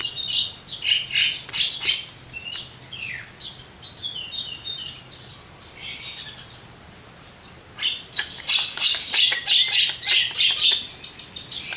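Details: Javan myna singing a varied full song, with scratchy squawks, short whistled slurs and rapid chattering bursts, a quieter stretch midway, then a loud dense finish.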